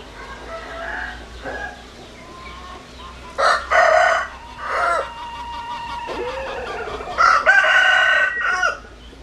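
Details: Several roosters crowing, near and far: two loud, hoarse, multi-syllable crows close by, overlapped by fainter distant crows and a low background hum.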